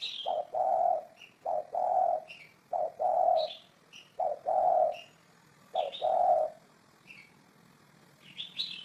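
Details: Spotted dove giving its repeated coo, 2018 recording: five deep two-part phrases, a quick short note followed by a fuller sustained coo, evenly spaced, while small birds chirp faintly at a higher pitch.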